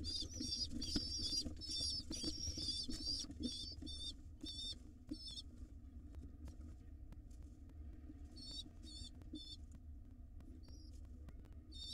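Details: Hungry wild pigeon nestlings at a nest box beg as their mother feeds them: strong bursts of high, quavering squeaks in the first five seconds, then scattered shorter squeals amid soft rustling and steady low background hum.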